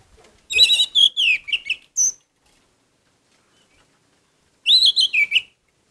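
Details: An orange-headed thrush sings gacor style to boost emotion: a lively phrase of five or six loud, slurred whistles ending in a thin high note, a long pause, then a shorter repeat of the opening notes.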